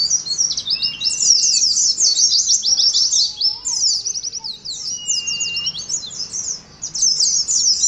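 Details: Oriental white-eye song used as training audio for caged birds kept together in a colony: rapid, high, twittering chirps running almost without pause, with a few thin, level whistles beneath.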